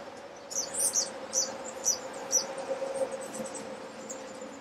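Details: A Thick-billed Euphonia (subspecies hypoxantha) sings in Ecuador's Alambi Cloud Forest Reserve in May 2012: a run of five high, sharp notes about every half second, then softer chatter over a steady low hum.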